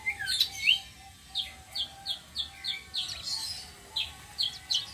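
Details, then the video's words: Flowerpecker (local name tledekan sitrun selendang biru) singing a rolling song, used as a lure for other birds: thin high downslurred and rising notes repeated about three times per second in uneven series, with a faint steady hum beneath. "BURUNG TLEDEKAN SITRUN SELENDANG BIRU NGEROLL||BISA BUAT PANCINGAN"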